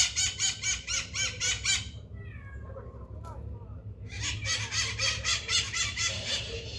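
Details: Maritaca, a parakeet, noisily calling: rapid series of harsh, grating squawks about four per second, a brief lull with a few softer notes, then another loud rasping burst, over low rumbling background.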